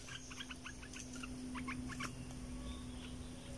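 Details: A captive red-eyed bulbul used as a decoy bird gives quick bursts of short, bubbly chirping notes in loose clusters, over a steady low electrical hum.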